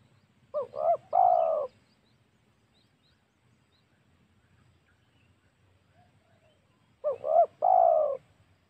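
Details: Spotted dove pikat call used for luring wild doves at home or in the forest. Two identical phrases of quick paired coos ending in a long low coo, about six seconds apart, over a quiet low hum.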